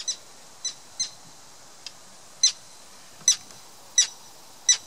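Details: Common terns defending their chicks in June 2016 on Tatyshev Island in the Yenisei, Krasnoyarsk, give short, harsh, high kik notes, seven in five seconds at an uneven pace and varying loudness, as if from more than one bird.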